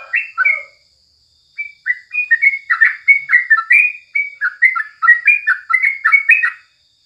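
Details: Tutor song of a yellow-vented bulbul in the morning: a short opening chirp group, a pause of about a second, then a long bubbling string of fast, slurred whistles, mostly rising, with a faint steady hum underneath.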